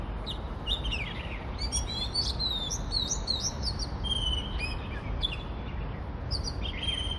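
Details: Oriental magpie-robin in Hong Kong, song captured with a phone voice recorder: rich run of varied whistled notes, quick slurred upward and downward phrases and short trills, with constant low rumble of background noise.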